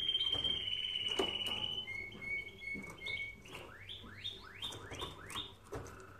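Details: Canary song for training canaries: a long sustained high whistle, a lower held tone, then a string of quick upward-sweeping whistled notes repeated roughly every half second.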